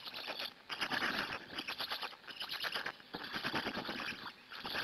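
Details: Hungarian black stork nest on 2 May 2017, mid-afternoon, chicks being fed by an adult, filmed by a live nest camera; dense wheezy, scratchy rattling in bursts about a second long with short pauses between.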